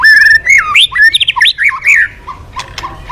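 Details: Vigorous white-rumped shama song used as a singing lure: a held whistle followed by fast jumbled whistled notes and squawky phrases, then softer repeated chips.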